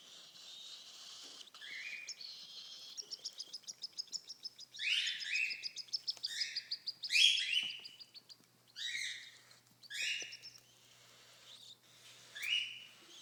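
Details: Three 28-day-old baby cockatiels out with their parents give rapid, raspy chirps and shrill, down-slurred calls while begging for food; one chick is said to be still hungry.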